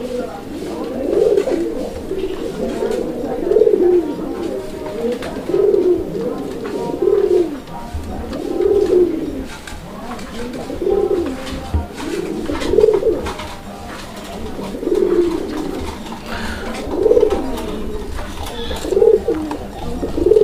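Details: A domestic pigeon, one of a colouring Rajgolla pair with a hatching chick and eggs, coos steadily and frequently, low throaty phrases repeating about every two seconds.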